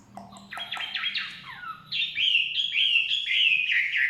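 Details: Chinese hwamei song in forest: choppy, squeaky opening notes, then a strong sequence of rolling, slurred whistles repeated steadily.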